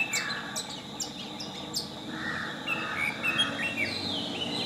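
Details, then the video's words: A Long-tailed Shrike sings a rambling mix of sharp chirps, scratchy notes and short whistled phrases, with faint background hiss throughout. "Long-tailed Shrike chirping singing"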